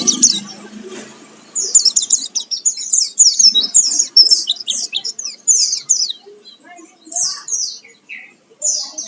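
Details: Oriental white-eye singing vigorously with a full fill-in song, used as a lure to provoke other white-eyes to sing: a thin muffled rustle at first, then rapid high twittering chirps and descending squeaky notes running almost continuously.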